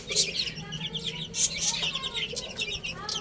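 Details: Young chicks feeding and playing chirp in quick, high, descending peeps that overlap from several birds. Occasional louder sharp bursts stand out above the chorus.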